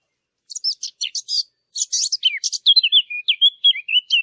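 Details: Birds chirping in a quick, uneven run of sharp high notes, starting with buzzy clustered chips and settling into a string of short whistled slurs that dip and rise, with brief pauses between bursts and no other sounds.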